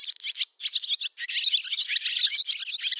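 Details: Barn swallow summer song, village of Zamoshye, Novgorod oblast, Russia, 8 August 2013: fast, high, twittering warble of scratchy chirps and squeaky notes, nearly unbroken after two brief pauses in the first second.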